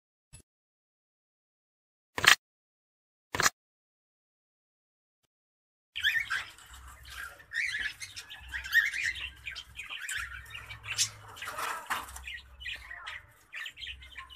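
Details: Cockatiels in a nest box being checked give scratchy, chattering calls after two sharp knocks and a short silence.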